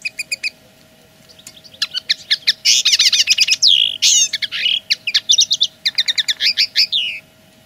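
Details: Territorial song of a common linnet, a rapid varied twitter of dry clicks, buzzy rattles and rising and falling whistled notes, delivered almost without pause after a few opening chirps; faint constant hum behind.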